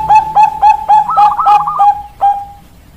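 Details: Zebra dove of perkutut bangkok stock singing: evenly spaced mellow cooing notes, about four a second, with a rolled trill in the middle and one final coo.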